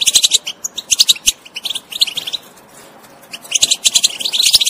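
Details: European goldfinch twittering to stimulate a non-singing bird: bursts of bright, high, tinkling notes and quick trills, with a quieter pause in the middle before a dense final burst.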